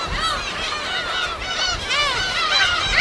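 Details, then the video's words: Crowded gull colony on an uninhabited island in the West Sea of Korea: rapid, overlapping short cries from many birds, bent pitch arcs following each other several times per second. "파도소리와 갈매기소리"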